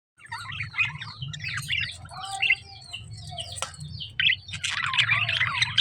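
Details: Lovebirds chirping: dense bursts of high, sharp chirps and short squawky notes that overlap in a busy chatter, with a steady low hum underneath.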